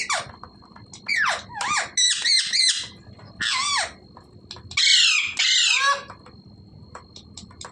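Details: Parrot squawking repeatedly: loud, harsh, downward-sweeping screeches in bursts of about half a second to a second. The bursts are separated by short quiet gaps, and a faint steady whine runs underneath.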